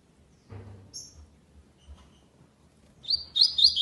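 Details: Double-collared seedeater, classic tournament song without the third note: a couple of soft high chips and some low thumps, then the start of a bright, high, rapidly repeated slurred phrase near the end.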